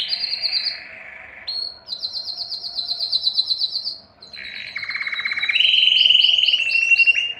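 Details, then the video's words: Male-style Spanish timbrado canary song of sustained, bell-like rolled trills, switching abruptly between higher and lower pitched tours, with one rapid rattling passage and a brief quiet gap mid-song. "canary singing timbrado"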